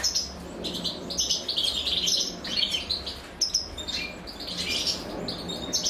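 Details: As a female European goldfinch feeds her young, the chicks keep up insistent high chirping in ragged clusters, sharp tweets piling together in several bursts, with a low murmur of background noise throughout.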